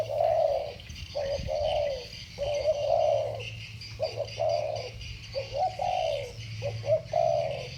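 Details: Spotted dove coos in the 'thổ bầu' style, two birds dueling: clipped note pairs leading into drawn-out descending coos, phrases coming back about every second or two over a steady low hum.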